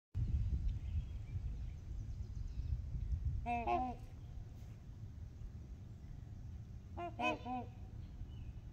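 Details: Trumpeter swans on Horseshoe Lake with geese, heard from the beach: two short bursts of low, nasal, trumpet-like honks, a few notes each, separated by about four seconds, over steady low wind rumble.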